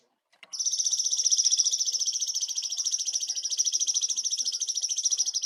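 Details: Cungkok bulbul in persistent song with rich fill notes, recorded for training songbirds; one long, rapid, high buzzing trill that continues unbroken for about five seconds after a sharp click.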